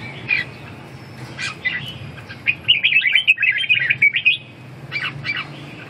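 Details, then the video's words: Red-whiskered bulbul giving a bubbly whistled phrase of fast rising and falling notes, preceded and followed by a few separate short chirps, low hum underneath. "Kênh về chim Chào mào"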